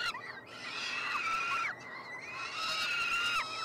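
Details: Nestling peregrine falcons, three siblings hatched in late May, wailing while being fed at their nestbox on the University of Montreal campus, Canada, 21 June 2022; two long, level, rasping screams that drop sharply in pitch at the end.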